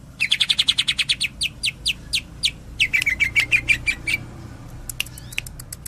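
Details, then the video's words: Tembakan-style song from a Cililin greater green leafbird: a machine-gun volley of crisp high chirps, slower single notes, then a second quick rattle and a few sharp ticks at the end. "Cucak Ijo 86 Tembakan Cililin,kapas tembak"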